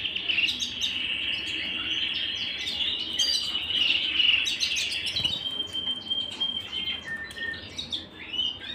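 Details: Indoors a canary delivers a loud, ringing sustained trill that swells in the middle, then shifts into softer, thinner trills with scattered high ticks.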